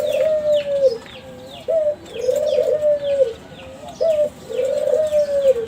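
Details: Captive young Kelantan zebra dove of a champion contest line singing to draw other doves into calling: long low coos falling at the end, alternating with short upward-flicked notes, roughly three phrases, over steady chirping of small birds.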